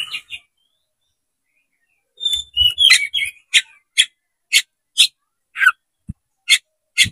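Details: Oriental magpie-robin (kacer) with spread tail, singing to provoke rivals into fighting: a brief chattering burst, then a steady run of sharp, emphatic single notes about every half second.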